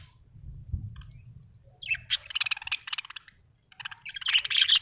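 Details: Budgerigar chirping: after a quiet start, two dense bursts of rapid, scratchy, high warbling chatter, the second louder and fuller, separated by a short pause.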